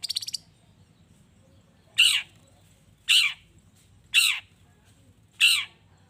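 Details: Long-tailed shrike, played to provoke rival shrikes into answering. A short rattle opens, then four loud, harsh, grating calls come roughly every second.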